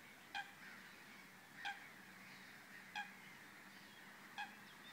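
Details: Black-winged stilt at the Vrbenské ponds near České Budějovice, Czech Republic, on 11 June 2016: four short, nasal, harmonic yelping notes, each about 1.3 seconds apart, over a steady background murmur and a low hum.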